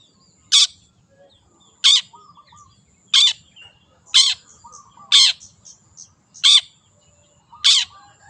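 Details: Seven harsh, scratchy bursts from a wild long-tailed shrike, about every 1.3 seconds, interspersed with short whistled and chattering notes.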